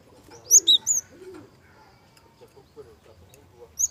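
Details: Java sparrow lure recording with a soft voice, used to provoke young birds into singing: a brief burst of sharp, high chirping notes near the start, a lone high note at the end, and faint low murmuring in between.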